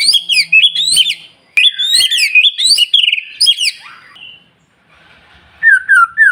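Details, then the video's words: Singing white-rumped shama, played in the morning to set other birds calling: fast bursts of high whistled, chattering notes with sharp clicks, a brief quiet gap, then a clear falling whistled phrase. "Pancingan Murai Batu Paling Ampuh Bikin Burung Lain Meledak Bunyi"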